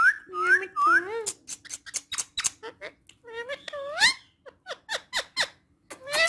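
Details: Pet female ringneck parrot that talks in Urdu and Hindi, giving a run of upslurred, voice-like whistled syllables mixed with sharp clicks and squeaky chatter, indoors.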